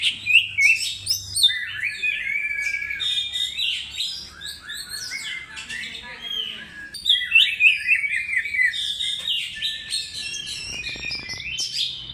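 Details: Oriental magpie-robin pouring out a lure song: energetic sequences of sharp chirps, sweeping whistles and fast trills, repeated in a long run with a short break near the middle, over quiet background.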